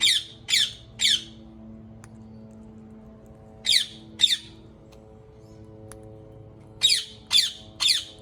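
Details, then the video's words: Ringneck parrot giving grating screeches in short bursts: three quick calls, a long quiet gap, a pair, then three more, with a faint steady hum beneath. "ببغاء الدرة Ringneck Parrot"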